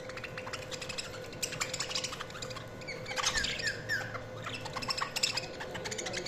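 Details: Budgerigars chirping: a steady stream of fast, scratchy warbled chatter with short clicks and a few quick descending whistled notes near the middle, plus a faint steady hum underneath.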